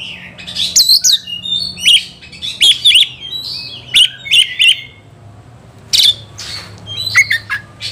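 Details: White-rumped shama, agitated and seeking a rival, delivers bursts of bright chirps and sharp whistled notes in short clusters, with pauses between phrases and a faint low hum underneath.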